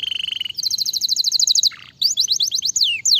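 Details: Canary song used to stimulate other canaries: a quick steady trill, a faster high trill, a brief low rattle, then sharp sweeping chirps and a falling whistle.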